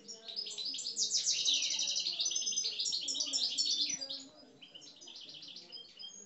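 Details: Caged parva goldfinches from Algeria sing aggressively in a dense, rapid torrent of high, tinkling, buzzy trills and chirps that fades to softer twitters near the end.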